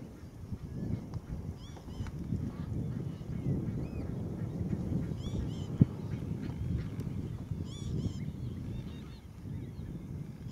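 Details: Young northern lapwing recorded at Zandvoortweg on 25 May 2014, giving scattered high, downslurred squealing calls in small groups throughout. A heavy low-pitched background rumble and one sharp knock near the middle are also heard.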